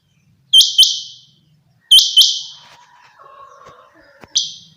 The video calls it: Common Quail. bird sounds from summer meadow